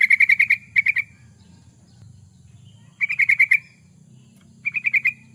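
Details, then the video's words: Master recording of a yellow-vented bulbul for training birds: rapid chattering runs of bright notes, some long and some short, coming in groups, over a low-pitched background drone. "Suara burung trucukan, pancingan burung trucukan suara gacor"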